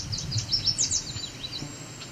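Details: A male Yellow Warbler near Cape Chin North, Ontario, Canada, on 17 July 2019, sings its other main song type rather than 'sweet, sweet, sweeter than sweet': a quick run of high, sweet, slurred notes lasting about a second, over a faint low rumble.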